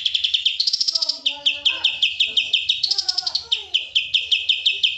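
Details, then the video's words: Nonstop high chirping from a white-eye, locally kapas tembak, singing gacor: sharp notes repeat about three times a second, with faint lower sounds underneath. "kapas tembak gacor"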